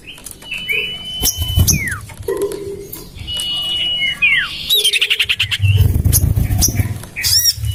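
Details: Lure recording of common iora: a drawn-out steady whistle, falling slurred notes, and stretches of rapid harsh chattering, with a low rumbling background sound underneath.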